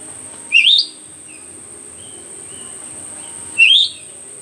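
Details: Myzomela observed on 25 December 2022: a quick, high chirp that twists upward, with a faint short whistle between, then a matching chirp about three seconds later. A steady high-pitched insect hum continues underneath.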